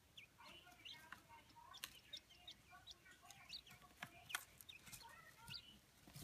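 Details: Indoor Chinese blue-breasted quail pair, both adults of Darth Vader and Golden Pearl varieties, in a sandbox; soft, brief chirps and clucky notes come every second or so among sand-scratching taps, with background television sound.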